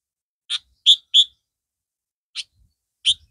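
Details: Caged Sooty-headed Bulbul of the red-vented form gives five crisp, high chirps: one, then a quick pair, a pause, and two more spaced single notes, with no other sounds.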